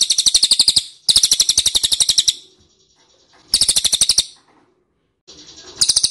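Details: An ashy tailorbird lure call: repeated bursts of rapid, high, metallic chirps with quiet gaps between them. A softer burst comes just before the final loud series.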